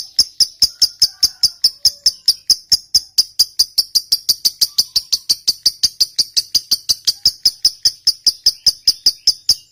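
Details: Lovebird ngekek, a trill meant to provoke other lovebirds into answering. An even string of short, sharp, high ticking notes, roughly five per second, continuing without pause for almost ten seconds.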